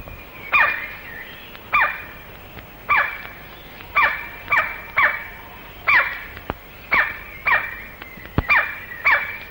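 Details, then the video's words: White-bellied woodpecker, also called great black woodpecker, male, in Malaysian rainforest recorded late 1950s to early 1960s, giving loud piercing single calls about once a second, each a sharp bright note, over constant insect hiss. "here you can hear his piercing call and frantic drumming the white bellied black woodpecker [Applause]"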